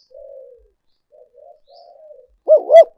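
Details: Lure call of a spotted dove: gentle low murmuring notes, then two loud rounded coos close together near the end.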